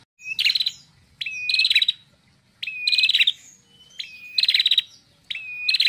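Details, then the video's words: Female red-headed prinia singing a repeated phrase about every 1.3 seconds: a short level whistled note, then a loud, rapid, buzzy trill of pulses, five phrases in all, with faint low background hum. "PRENJAK KEPALA MERAH BETINA SUPER NGEPLONG,LANTANG GACORNYA"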